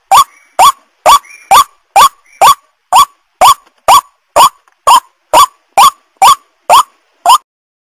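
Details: White-breasted waterhen lure call used to attract wild birds: loud, harsh, nasal notes with a rising upturn, repeated steadily about twice a second in a long series, with no other sounds.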